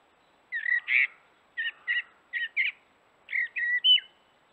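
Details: Common blackbird at a watering hole in the forest on a morning, singing four separate short phrases of paired warbling notes with pauses of about half a second between them. The background is still.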